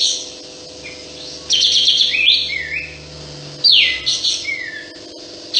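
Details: Sooty-headed bulbul singing persistently with its tail fanned: a rasping high burst, then gliding whistles that dip and rise, then a sharp downward sweep and a falling slur, over a low droning hum.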